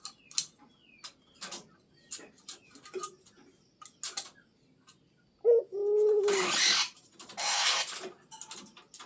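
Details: Pet zebra dove prompted to call nonstop: after a spell of scattered clicks, one low rolling coo with a sharp lead-in note, overlapped by a burst of loud hissing rustle.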